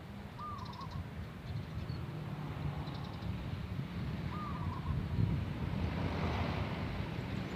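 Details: Wild local zebra dove singing outdoors: two short, soft, rippling cooing phrases about three seconds apart, each a quick run of mid-pitched notes over steady low rumble and wind noise.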